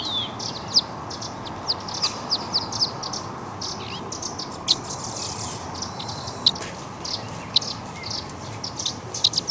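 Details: Young Eurasian crag martins being fed at the Walensee, Switzerland: thin, high chirps repeated irregularly, some in quick clusters, over a steady background hiss.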